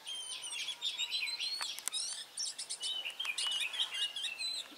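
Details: Red-whiskered bulbul decoy, a 'Mí lửa' bird, singing to fight during a trapping session on 23 March 2018; bright, rapid whistled and chattering phrases stacked high, with several birds overlapping and sharp clicking noises throughout.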